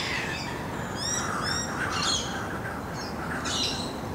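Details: Laughing kookaburra (Dacelo novaeguineae) parents feeding chicks at a regular feeding spot beside bushland: harsh, scratchy squawks mixed with high, quickly falling chirps, repeated several times in four seconds over a steady outdoor hiss.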